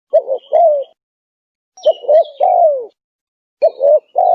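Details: Spotted dove cooing for luring wild doves: phrases of paired short hoots ending in a long falling coo, with sharp high chirps of small birds between them.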